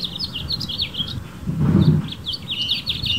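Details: A garden-perched male House Finch in California sings for females, giving a fast twittering warble that is briefly masked in the middle by a low muffled thump before the bright notes resume.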